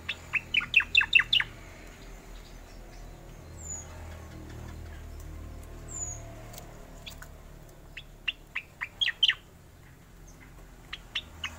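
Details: Oriental magpie-robin singing a rolling song: rapid clusters of sharp ticking and whistled notes at the start and again near the end, separated by a quieter stretch with a few thin high slurred whistles.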